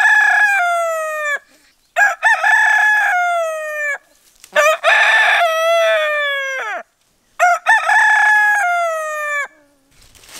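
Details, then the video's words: Rooster crowing as a wake-up call, several drawn-out crows in quick succession, each beginning with clipped syllables and ending in a sustained, slightly falling tone, with brief gaps between them. "公鸡打鸣 叫醒服务"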